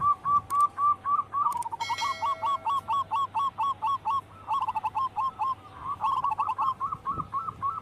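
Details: Local wild-type zebra doves singing energetically: a fast run of short, hooked, whistle-like coos at a steady pitch, several voices overlapping in a continuous chorus with brief pauses, and a faint low hum underneath.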